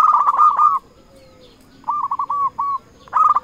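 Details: A local zebra dove used to lure and challenge rivals delivers two brisk bursts of rolling, clipped coos split by a short silence.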